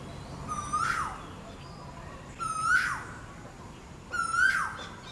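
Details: Three ringing upslurred whistles from an Asian koel's mating call, evenly repeated about every one and a half to two seconds, each ending in a quick rising flourish; quiet background.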